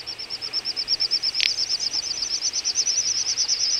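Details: Little bustard at a large wintering flock in Ag-Gol National Park, Azerbaijan, in November 2014: a fast, steady run of thin, high whistled pulses, about eight a second, with one brief dry click partway through.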